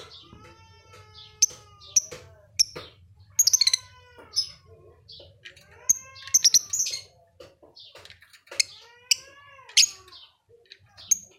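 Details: Lovebird singing busily at Leuwimunding: a long, varied stream of thin arched whistles, squeaks and clicking chirps, with scattered loud piercing notes and short rapid trills, over a faint low background hum.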